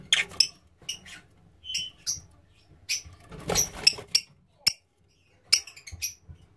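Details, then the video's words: Black-cheeked lovebirds (green pied/blue x DEC) give sharp, shrill chirps and squeaks in irregular bursts, with a few clicks and a faint murmur of a voice between calls. "Black Cheeked Lovebirds"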